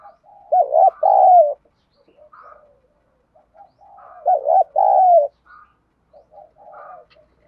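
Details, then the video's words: Spotted dove cooing in 'thúc gù' fashion to excite decoy doves: two strong phrases about four seconds apart, a trembling double note then a lengthy falling coo, framed by softer low hoots. "cu gáy thúc gù giọng đồng thổ, chim cu gáy kích bổi nhanh nổi nhanh"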